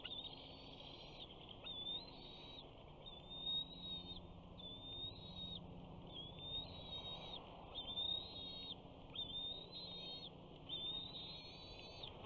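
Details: At a Big Bear nest on 21 June 2019, a 68-day-old male bald eagle eaglet calls as a parent arrives with fish for breakfast. High, thin whistled notes with slight upward inflections, repeated about every one and a half seconds.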